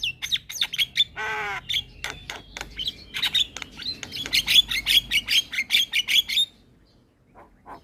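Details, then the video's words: Lively Javan myna (jalak kebo) singing loudly: rapid sharp chattering notes with a brief nasal rattling whine, building into a fast run of bright repeated whistled chips before falling silent. "Kicauan Jalak Gacor - Suara Jalak Kebo Paling Gacor"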